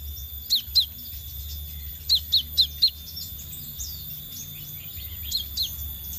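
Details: High, piercing downslurred whistles from a scarlet minivet, used as a lure. A pair of notes is followed by a run of four, then softer notes near the end. Low steady background noise.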